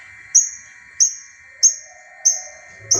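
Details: Five loud, clean high notes, each sharply struck then fading, spaced about 0.65 seconds apart, from a long-tailed shrike in tengkek buto mimicry. Played to coax silent caged birds into song.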